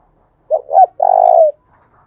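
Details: Single coo phrase from a Spotted dove decoy with thổ đồng voice, thúc bổi style, for drawing in wild doves: two quick hollow notes followed by one sustained, slightly falling coo, otherwise silent.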